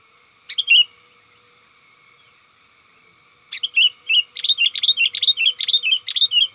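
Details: Sooty-headed bulbul calling to companions, a recording used to lure wild bulbuls in forest: one brief chirpy burst, a pause, then a lively run of bubbly, bouncing notes repeated about three times a second, over a steady faint tone.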